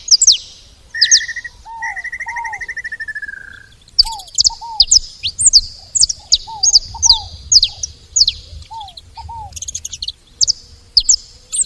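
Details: Saffron finches at a feeding spot: an opening drawn-out buzzy trill, then a steady stream of sharp, high, falling chips with lower double slurred notes repeated between them.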